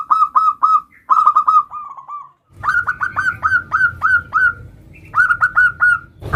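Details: Zebra dove singing the "nutut" variation, used as a lure for other zebra doves: bursts of rapid, mellow, hooked coo notes repeated in runs of four to eight, with low background rumble.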